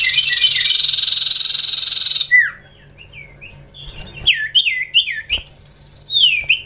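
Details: A young Common Iora (cipoh) being trained gives a sustained pulsed buzzing trill for two seconds. Then come irregular bright whistled notes that swoop down and up, some loud and some soft.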